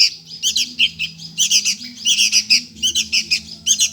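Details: Food-begging sooty-headed bulbul young: a steady stream of hoarse, buzzy squawks, about one burst every second, some merging into longer rasps.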